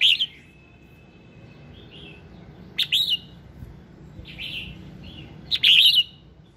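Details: Red-whiskered bulbul morning song to set other birds singing: three loud, liquid warbled phrases about every three seconds, with softer slurred notes between them.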